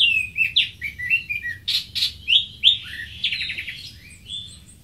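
Greater green leafbird singing a lively, varied run of high whistles, chips and rapid trilled notes, changing phrase every second or so.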